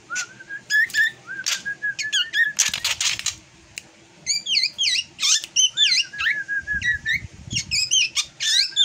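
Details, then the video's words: An unusual drongo song of looping, slurred whistles and rising-falling notes, broken by a burst of harsh scratchy sound near the middle and a short silence. "Kicauan Aneh Burung Srigunting Yang Tak Seperti Biasanya"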